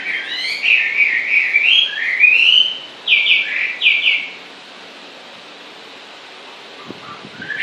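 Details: Bird singing constantly: a flowing warbled phrase of looping whistles followed by two sharp downslurred notes, then near silence with a faint low knock and the start of another note at the end.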